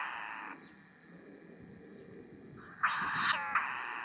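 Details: Begging from unseen sacred kingfisher chicks inside a mud nest in a fallen tree on a South Titirangi beach: a rasping buzz fades out, then a louder, harsh churring rasp starts up again.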